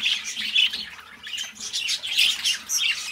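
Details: Budgies chattering in short bursts of squeaky chirps and sharp whistled notes, with a few loud squawks punctuating the warble.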